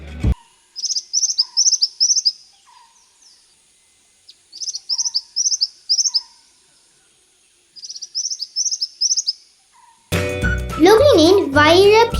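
Bar-winged Flycatcher-shrike gives three quick bursts of four or five high, buzzy notes, each burst about three seconds apart, with soft lower notes between; music and a voice follow.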